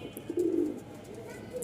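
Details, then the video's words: Male Rajshahi pigeon of a pair at a pigeon market in Mirpur-1, Dhaka, starting to call on its own while in full breeding condition; one deep, drawn-out coo lasting under half a second, then quiet room noise. "এই যে একাই কিন্তু ডাক শুরু করল ফুল মুডে আছে ফুল মুডে ওভারলাইট কালার"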